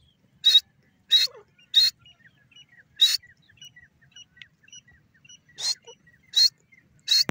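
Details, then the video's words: Grey francolin, known locally as teetar or dakhni teetar. Harsh, rasping, high call notes repeat about every half second in a series, pause, then resume, with faint soft chirps between them. "francolin teetar ki beautiful awaz"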